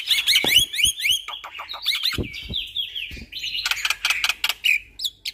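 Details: Black-winged myna (jalak putih) with a chattering tutoring song said to make other mynas panic: overlapping whistled loops and harsh buzzy phrases with scattered clicks, ending in a dense chatter and a clear whistle.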